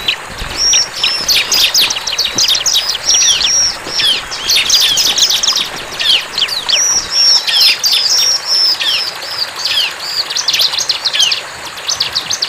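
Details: Bar-winged prinia in the wild giving sustained vigorous song: dense, rapid high chirps and twittering notes pouring out almost without pause, with brief dips in volume.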